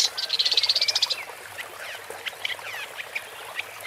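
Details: Woodchat shrike singing. It opens with a rapid, rattling trill of about a dozen ticking notes, then moves into scattered scratchy chirps and brief rising whistles.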